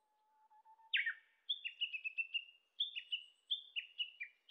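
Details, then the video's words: Japanese bush warbler singing in Shinetsu highlands, Japan, in July: a long, low, steady whistle, then a sharp falling flourish, then a quick run of bright, repeated chattering notes. "ウグイス 鳴き声"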